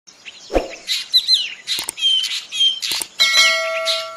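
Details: Black drongo singing in the wild: a mix of harsh, scratchy phrases and short bright whistled slurs with rising and falling notes, broken by a low thump near the start, then a steadier buzzy passage with a faint hum.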